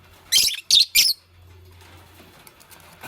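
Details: Green Fischer's lovebird with a pastel companion during nest building, giving three loud, rasping high chirps in quick succession, then quiet with a faint low indoor hum.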